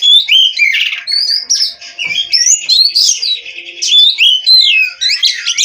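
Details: Oriental magpie-robin (kacer) from a breeding farm, singing nonstop: a loud, continuous stream of varied whistles, slurred rising and falling notes and sharp chips, changing phrase almost every fraction of a second, with no pause.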